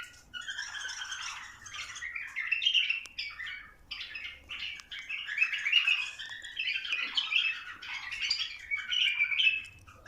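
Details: Bulbuls, in a recording meant to encourage them to mate: bursts of busy, chirping and warbled phrases a few seconds long, separated by short pauses, with several overlapping voices and little background noise.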